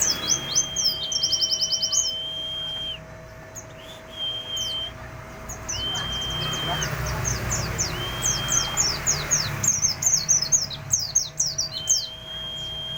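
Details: Full ngalas song with filler from a white-eye: quick strings of high, slurred chirps, with several long even whistles between them. Faint voices and a constant electrical hum can be heard underneath.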